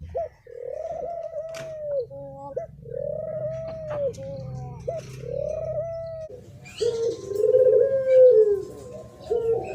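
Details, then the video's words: Spotted dove song used to provoke males and females: repeated low arched coos every couple of seconds, then a louder, rougher cooing phrase, with faint background hum. "Tiếng Chim Cu gáy thổ pháp mới nhất 2023 hay nhất dùng kích bổi kích trống kích mái"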